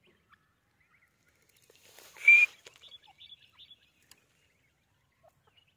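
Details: A single loud, harsh burst from a white teetar francolin with a brief rising whistle inside it, followed by faint scattered chirps from other birds in an otherwise quiet setting.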